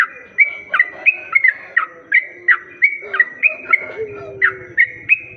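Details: Lure sound of a sooty-headed bulbul for attracting other bulbuls: a brisk string of clear, sharply dropping whistled notes alternating with short level tones, evenly repeated, and a faint low sliding whistle near the end.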